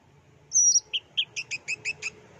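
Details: Orange-headed thrush, a champion bird singing in plong and teler style for tutoring: one high drawn-out whistle, then a quick run of sharp, evenly spaced double chips over a faint low hum.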